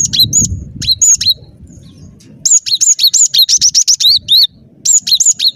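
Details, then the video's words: Gacor cinereous tit song used for luring birds into traps: short phrases of high piercing notes, then a long run of about a dozen rapid, chattering double notes, each swooping down and up. "Suara Burung Glatik Batu Gacor"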